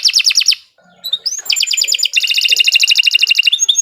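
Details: Canary song: a rapid rattling burst, a short pause with a soft note, then long runs of fast repeated trilled syllables ending in thin whistles.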